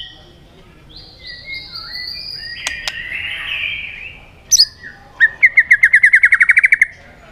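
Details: White-rumped shama in a singing contest with many voices. Soft whistles and a hiss lead to a sharp high note, then a rapid, even trill of about fifteen bright notes.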